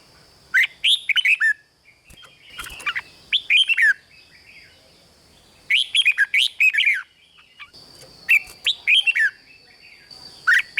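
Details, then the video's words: Red-whiskered bulbul pouring out rik song, dense runs of chirpy falling whistles in close phrases, some overlapping notes, with a constant thin high hum in the background. "เสียงนกกรงหัวจุก ร้อง ริก"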